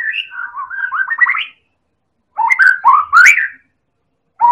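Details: Lure song of a Medan-type white-rumped shama, a champion-class bird, for provoking other birds to sing: a quick ladder of rising trilled notes, a pause, then loud rich upslurred whistles and a new phrase starting.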